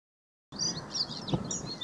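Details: In the Großes Torfmoor (Hiller Moor), North Rhine-Westphalia, Germany, a Bluethroat gives a quick run of high, thin chirps and twittering notes, varied in pitch, over a low background rumble.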